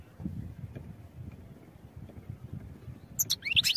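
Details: European goldfinch song for training, heard as a short, loud flurry of high tinkling chirps and downslurred notes arriving at the very end after a murmuring low background.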